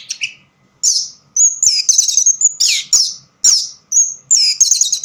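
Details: Orange-headed thrush singing in a dimly lit spot, delivering loud, varied whistled phrases with rich warbled notes and slurred high whistles, separated by brief silences.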